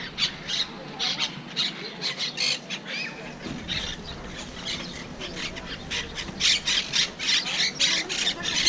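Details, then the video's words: Monk parakeets, an invasive species here, at Malagueta beach, Málaga, give harsh, grating squawks in quick, uneven bursts, several birds overlapping, with faint background noise. "Wild Parrot (Monk Parakeet) sounds"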